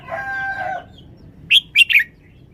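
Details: Red-whiskered bulbul showing its singing style: three loud, bright, clipped whistled notes in quick succession, following a long harmonic crow of a rooster at the start.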